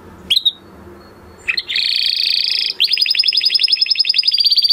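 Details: Male canary in full song: a brief high whistle, a dense rattling trill, then a rapid series of crisp repeated chirps.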